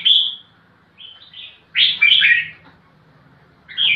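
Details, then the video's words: A crested bulbul looking for a rival to fight gives a clear falling whistle, then softer notes and a rich, burry warbled phrase, pausing before a new phrase starts. "Kutilang Jambul Gacor Cari Lawan Tarung"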